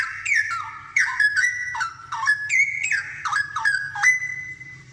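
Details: Straw-headed bulbul in full song, played as a tutor for other bulbuls: a run of loud, rich, gurgling whistles, each dipping sharply then rising, closing on a sustained level whistle, with a soft low hum underneath.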